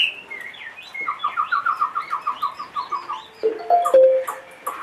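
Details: Caged two-and-a-half-year-old Chinese hwamei giving a rapid even run of about a dozen short falling whistles, followed by a few lower, clear pure notes and scattered high chips.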